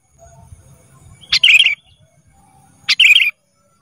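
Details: Black-capped bulbul, called kutilang emas, on a training recording for caged birds: two short, bright phrases roughly a second and a half apart, each a sharp chip running into a rolling, buzzy warble, with a faint low rumble.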